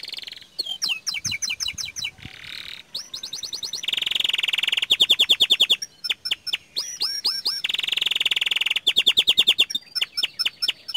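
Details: Young canary singing actively in a long, varied song: rapid high trills and repeated whistled notes, broken by buzzy rolls and ringing sustained tours, with phrases changing every second or so and no other clear sounds.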